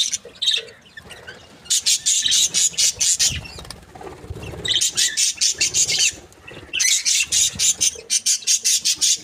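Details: Happy breeding pair of Australian budgies producing fast, evenly pulsed runs of sharp high chirps, three rattling bursts separated by short softer pauses.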